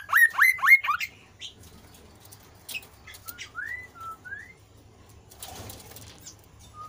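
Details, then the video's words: Kasu kasu bird singing in a lively, vigorous way, used to provoke lazy birds into song: quick rising whistled notes repeated in a burst at the start, then scattered short upslurred whistles with clicks and a brief noisy rustle. "burung kasu kasu anda pasti akan merespon"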